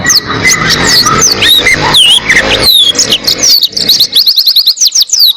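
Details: Oriental white-eye song meant for tutoring cage birds; scattered high slurred whistles over a noisy background, building into a quick, clean run of repeated sharp high notes in the last second and a half.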